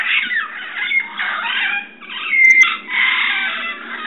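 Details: Red-crowned parrots calling at dusk, 6:34 PM on 15 March in San Diego, California: several birds give harsh, raucous squawks in a continuous overlapping chorus with brief lulls, loud and dense throughout.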